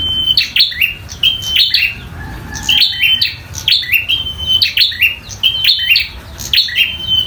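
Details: Bar-winged prinia, a local bird in fighting mode, singing actively: sharp snapping clicks joined to high, flat whistled notes with short downslurs, in bursts about once a second. Faint background hiss.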